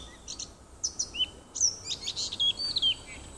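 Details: June 2015 nightingale song from a little wood by a house: clicks, then sliding high whistles and level fluty notes in a fast, busy run lasting about three seconds.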